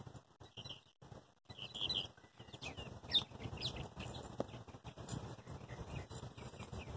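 Thin, high chirping notes from a bald eagle come in short bursts, set against steady rumbling wind-like noise and a faint constant high hum.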